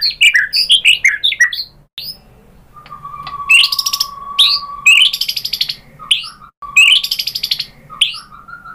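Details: White-rumped shama lure song meant to provoke a bird into singing: a quick varied warble of slurred notes, then a long steady low whistle overlaid by harsh rattling bursts repeated several times.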